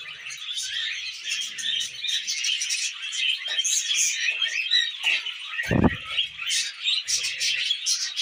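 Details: Pet budgerigars, tame and eating millet, give a continuous dense twittering chatter of high chirps and scratchy notes, with one brief low thump partway through.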